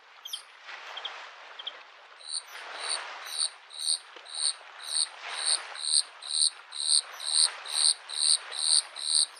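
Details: Bluethroat in spring at a lake repeating one bright, ringing note about every half second for several seconds, steady and regular, while waves wash rhythmically in the background.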